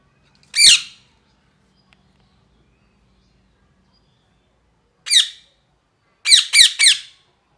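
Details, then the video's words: Parrot giving harsh, downward-sweeping squawks: one single call, a second after a long pause, then three quick calls in a row, in a quiet indoor setting. "Parrot Chirping Sounds"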